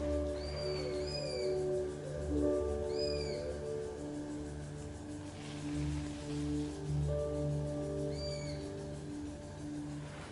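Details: Three Eurasian sparrowhawks (Accipiter nisus), close by in a tree in the evening after flying overhead, give thin, high, squealing screams in short bursts a few seconds apart over a low background hum.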